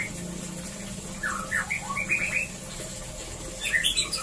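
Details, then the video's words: White-rumped shama singing in a breeding cage to prompt mating: a handful of clear whistled and slurred notes in a short phrase over a steady low background hum, then a brief higher flourish. "Perangsang ampuh Murai Batu agar Cepat Kawin di Kandang Ternak"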